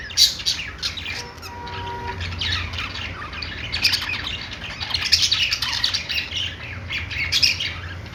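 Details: Budgerigars in a pet store chirp and warble in a crowded chorus, starting with sharp isolated squeaks before a thicker run of buzzy chatter, a faint low tone audible briefly.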